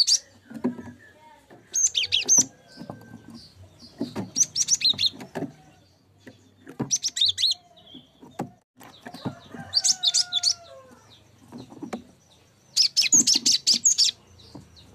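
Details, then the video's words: Cinereous tit song for tutoring songbirds: five or six short bursts of rapid, high, piercing notes separated by pauses, mixed with clattering knocks and a low background drone. "Masteran gelatik batu"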